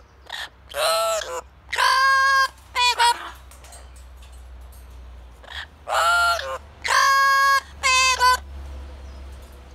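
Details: Blue-fronted amazon parrot kept as a pet, performing its song outdoors: loud nasal, harmonic calls in two clusters, strong steady tones mixed with quick clipped notes, a quiet pause in the middle.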